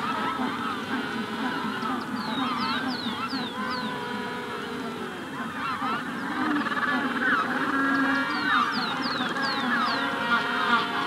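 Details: Constant droning, harmonic brays of many Magellanic penguins in a colony at hatching time, with two bursts of rapid, falling sparrow whistles from a rufous-collared sparrow riding on top.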